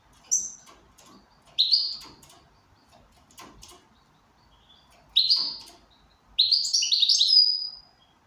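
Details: Goldfinch in good condition, likely caged, giving bursts of bright twittering song with rapid buzzy, tinkling phrases, separated by short pauses and faint background clicks.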